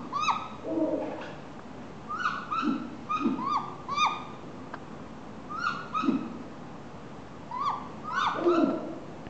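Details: Captive Great Grey Owl at Kobe Kachoen bird park begging for food: short, nasal, downward-slurring squeals in loose clusters every second or so, with lower muffled notes between them.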